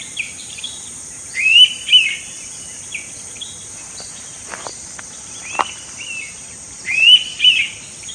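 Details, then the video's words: Indian pitta calling in Goa, India, in May 2021, repeating its two-note whistle twice about five seconds apart, with scattered chirps of other birds, a few clicks and a steady high insect drone between. "Indian Pitta Calling"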